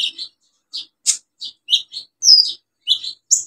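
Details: Olive-backed sunbird singing energetically as a lure for birds that have stopped singing: rapid, varied high chirps and short squeaky slurs, one longer descending whistle among them.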